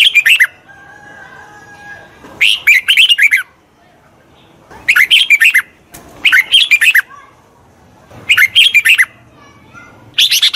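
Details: Red-whiskered bulbul singing, used to train a wild-caught bird: six short, rasping bursts of jumbled chirps spread unevenly, some close together, with a faint low hum in the pauses.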